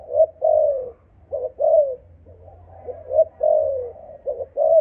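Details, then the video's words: Malaysian-line spotted dove, 'âm thổ' voice style. It delivers soft hooting coos in repeated phrases: brief double notes, then a sustained downslurred coo. The pattern recurs roughly every one and a half seconds with a steady low background drone. "Cu gáy malaysia dòng âm thổ tê tái"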